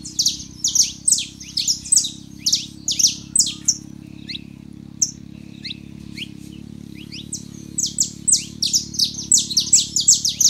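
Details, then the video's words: Male and female saffron finches sing to stir a quiet canary: dense bursts of high, sharp, descending chirps, a sparse middle with a few isolated ticks, then renewed rapid chirping; steady low hum underneath. "canário da terra fêmea e macho pra esquentar seu canário frio"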